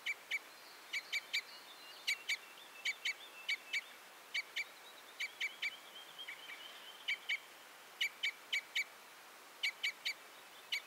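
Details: Series of sharp metallic notes from a Red Crossbill, delivered in bunches of two to four at steady intervals throughout, a faint sliding whistle midway, steady light hiss behind.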